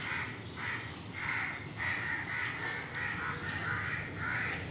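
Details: Several crows caw harshly and insistently in the morning, with overlapping calls about every half second in a noisy chorus, mobbing a monkey in a tree alongside pigeons and mynas; a man speaks in the background.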